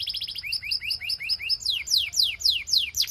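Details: Belgian canary song for getting other canaries to sing, with short rising whistled notes repeated several times a second, followed by bright, longer falling slurs repeated in a steady rhythm.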